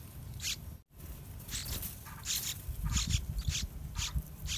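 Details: Yellow-vented bulbul chicks, both fully grown and near fledging, in the nest while parents bring wild fruit and a large dragonfly; short, sharp, buzzy chirps in irregular bursts over a low outdoor rumble, with a brief dropout early on.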